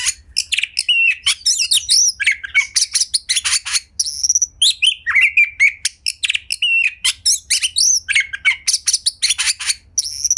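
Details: White-rumped shama, a kept bird, singing a lure song meant to prompt other shamas to sing: rapid varied phrases of sharp chirps, high whistles and buzzy notes, dense and nearly continuous over the whole stretch.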